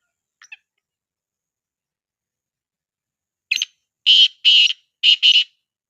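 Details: Black francolin calling: one faint short note, then after a pause a loud, harsh, grating phrase of four or five clipped, scratchy notes in quick succession. It is used to make other partridges answer.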